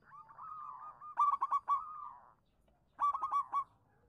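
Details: Local zebra dove singing as a lure for silent doves: a drawn-out rolling, wavering coo runs into a rapid stuttered cluster of bright notes, then after a short pause another quick staccato burst.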